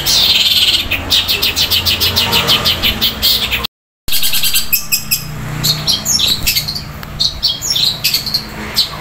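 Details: Cendet, the olive-backed tailorbird, singing a loud rolling fighting song: rapid repeated high chirps and trills, a brief silent gap partway, then scattered sharp notes with low rumbling background.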